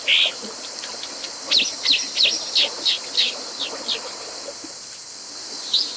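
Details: Brown dipper giving a short burst, then a rapid series of about ten sharp, high chirps that gradually fade, with one final note after a pause, over background hiss.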